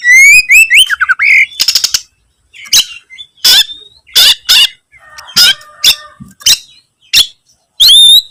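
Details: Oriental magpie-robin in full song while searching for a rival, starting with looping whistled notes, then a run of sharp harsh bursts and scratchy chatter with brief gaps, ending in a bright whistle.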